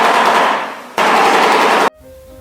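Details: A shoebill clatters its bill in two loud bursts of about a second each, a dense rattle like a machine gun, followed by faint tonal music.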